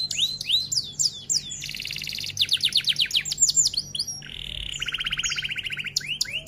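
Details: F1 canary masteran song featuring rolls and tembak: quick downslurred whistles, a buzzy burst, a run of sweeping notes, then a long level pulsed rattle.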